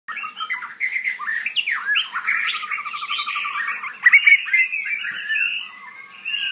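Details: White-rumped shama singing a loud, rich run of varied warbled and whistled phrases with quick slurred notes, some rising and falling, in near-continuous bursts over several seconds.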